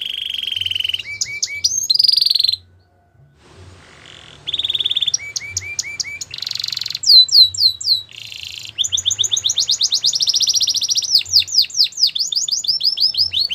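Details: Belgian canary performing a long song: a buzzy rolling phrase and chips, a short pause, then renewed buzzy bursts, sweeping whistles and a rapid, steady trill of high notes continuing to the end.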